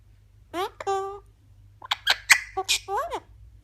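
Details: A pet Eclectus parrot talking indoors in a small room: short speech-like phrases with clear voiced tones, a few slurred syllables and brief pauses between them, in a quiet room.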